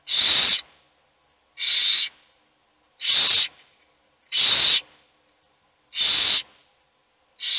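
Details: Hungry owl chicks begging while just one is fed; six harsh, hissing screeches about every one and a half seconds, each short and noisy.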